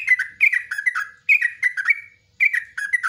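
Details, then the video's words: Yellow-vented bulbul, long song for training caged birds, with three quick bursts of bubbly, falling warbles, each lasting about a second, recorded close and clean. "LIVE TRUCUKAN ROPELAN NGUKLIK NGECRUK"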